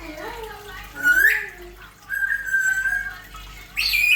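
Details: African grey parrot talking nonstop with speech-like voiced sounds, broken by squawky rising whistles and a long level whistled note; a faint steady hum lies under it.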